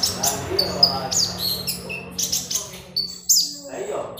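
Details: Magpie robin song used as a master sound: scattered high whistles and sharp downslurred chirps over a steady low hum and background noise.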